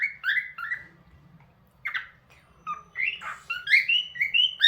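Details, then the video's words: Pet cockatiel making sounds: a run of short, chirpy, slightly squawky notes, some rising and some level, bunched in bursts with brief pauses. A faint low hum sits underneath. "Cockatiel Bird 🕊️ Making Sounds"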